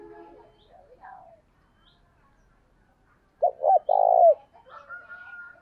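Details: Spotted dove used as a decoy to lure others: after quiet scattered bird twitters, a short burst of two clipped coos and one longer, hoarse coo that falls at the end, then a thin whistle.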